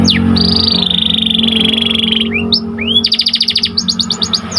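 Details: White canary song used to train canaries to sing more: a long buzzy sustained trill, two upslurred whistles, then rapid pulsed rolls of repeated notes.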